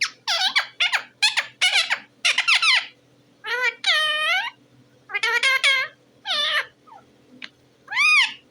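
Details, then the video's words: Talking parrot giving a chatter of quick, sharp squeaky notes, followed by longer scooping and wavering harmonic calls and short chirps, repeated in irregular bursts with brief silences. "talking parrot bird"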